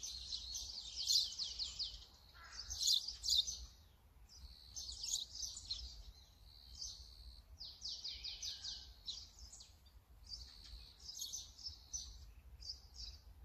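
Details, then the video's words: Brown-eared bulbul calling repeatedly with a Sony camera and 200-600mm lens: bursts of rapid, shrill, downslurred notes in irregular runs, loudest early, separated by short pauses. "직박구리 - Brown-eared Bulbul - Ixos amaurotis - 棕耳鹎"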